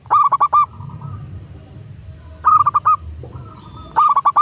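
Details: Zebra dove, local bird, used as a master recording to trigger singing in kept doves: three loud phrases of four or five rapid coos, with fainter drawn-out coos in the gaps.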